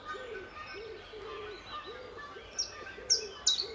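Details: A common chiffchaff calling in the early morning at Standalone Farm, Letchworth, in March 2014, gives three loud, high, down-slurred notes about half a second apart over soft low cooing and distant birdsong.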